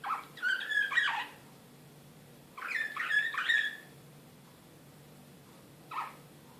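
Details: Serbian Slavujar canary recorded in Belgrade in 2016, excited, producing short separate bursts of warbled, rising and falling notes with quiet gaps between them.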